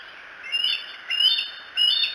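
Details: Bald eagle on the Decorah eagles camera, 07-02-2018, between about 3 and 4 a.m.: three high, thin chirping calls with harmonics, each about a third of a second long, spaced roughly half a second apart over a steady hiss.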